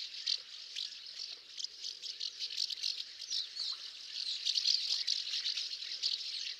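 House martins keep up a steady, high chatter of dry, scratchy chirrups, many overlapping in a continuous twitter with no pauses.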